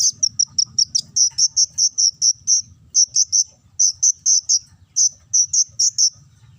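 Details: Konin sunbird lure song in ngobra style to spur other birds: evenly spaced high piping notes repeated in quick runs of five to ten, broken by short pauses.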